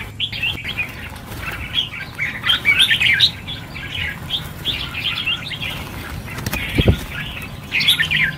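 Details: Red-whiskered bulbuls released in a group of 1000 at New Year chatter together in overlapping bursts of chirps and warbles, with a thump near the end.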